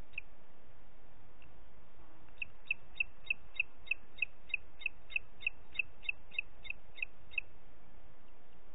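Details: Booted eagle calling in Parc Natural dels Ports on 30 June 2021 at 11:01: a rapid series of about sixteen short, high whistled notes, roughly three per second, after a few scattered opening notes, over a steady background hiss.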